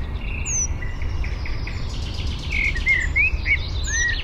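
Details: Eurasian penduline tit at Fysingen in Uppland, Sweden, collecting material for a nest high in a birch, recorded by parabola: thin high descending whistles near the start and end, over busy twittering of other birds and rumbling wind.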